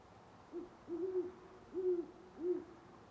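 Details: Near sunrise on November 25, 2011, a great horned owl in Parker, Colorado, gives a low muffled hoot sequence: one brief note, then three longer, evenly spaced deep hoots, with little else audible.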